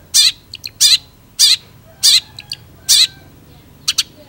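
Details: Long-tailed shrike in full song: loud, harsh, rasping notes about every half second, mixed with short, thin chirps.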